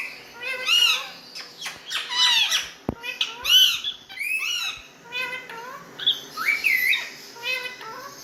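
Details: Pet rose-ringed parakeet mimicking speech at home: a rapid run of nasal, speech-like syllables and arched whistled notes, with a sharp click partway through and a higher squeaky phrase toward the end, all in a quiet room.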